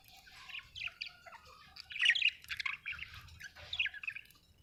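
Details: Budgerigar chirping, soft scratchy warbling with clusters of quick high chirps and squeaks, louder in the middle and fading near the end.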